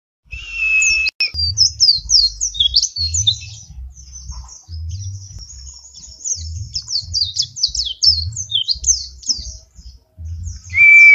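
A white-eye sings a long, rapid, high twittering stream of varied chirps and trills. Soft low rhythmic thumps sound underneath.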